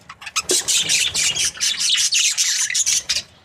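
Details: Happy Australian budgie breeding pair in rapid, rhythmic high chirping, a steady run of scratchy pulses for over three seconds.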